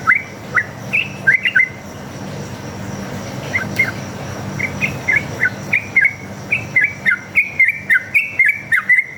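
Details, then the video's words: Sooty-headed bulbul (trucuk) in a long, repeated song used as a lure to make other trucuk answer; short whistled notes around two kilohertz, rising and falling, delivered in quick runs with a pause mid-way, over a steady low hum. "PANCINGAN trucuk gacor ngalas tarung ropel ini paling ampuh buat masteran trucuk agar nyaut bunyi"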